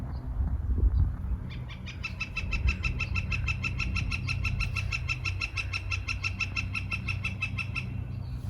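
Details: A northern flicker atop a tree at Jericho Park, Vancouver, in early March 2021 gives a long, rapid run of loud, even 'kek-kek-kek' notes, about six per second, for six seconds, over low wind rumble; with drumming, a breeding-season mating signal.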